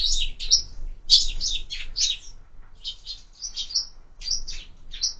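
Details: Sparrows at a window feeder, clear close chirps and tweets in quick irregular bursts, bright and high, with little background noise.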